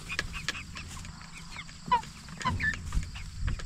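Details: Cornish Cross broiler chickens at 44 days old, kept for meat, making quick high chirps and short downward-sliding peeps, scattered irregularly, with a low background hum and scuffling.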